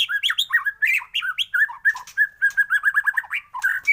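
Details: A white-rumped shama in a morning lure recording sings a continuous string of sweet, slurred whistled notes, varied in pitch, delivered several per second with sharp chirps mixed in.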